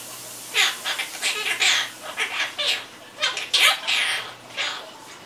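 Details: Talkative pet Quaker parrot runs through a long stream of rasping, mewing syllables, some drawn out and some clipped, nearly continuous for four seconds before tailing off, over faint indoor hum.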